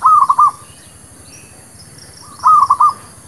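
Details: Local zebra dove singing a lure song for trapping and new birds: two bright, rapid phrases of four soft coos, about two and a half seconds apart, over a faint background of high chirps.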